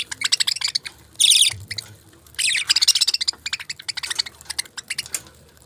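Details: Budgerigars give scattered short chirps and two louder harsh squawking bursts, followed by a run of quick, evenly spaced ticking twitters.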